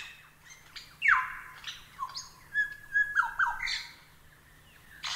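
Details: Lyrebird song for training other birds: a loud descending whistle, then scattered clipped chirps, pure held tones and short trills with quiet gaps between them.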